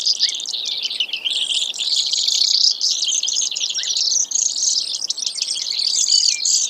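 Brewer's sparrow giving a long, unbroken run of high, buzzy trills that shift in pitch and speed, with a couple of brief lower chips.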